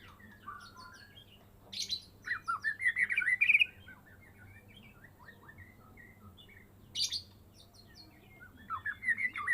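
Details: Medan white-rumped shama kept in a cage since fledgling, singing after its first moult: quieter bursts of varied twittering, scratchy chatter and short whistled slurs, separated by pauses, over faint low background hum.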